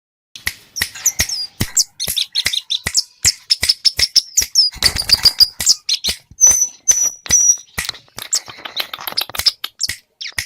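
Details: Scarlet-headed flowerpecker in full song, loaded with mimicked phrases: rapid high ticks and clicks interleaved with thin whistled notes and a run of three level piercing whistles, sharp and energetic throughout.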